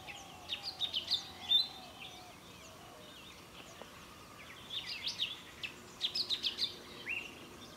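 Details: Golden-fronted Leafbird (Chloropsis aurifrons) recorded in December 2000 at Anjuna, Goa, India, giving two bursts of sharp, high, chirping and squeaky notes, quickly jumbled together, over soft background hiss and a faint low whistle.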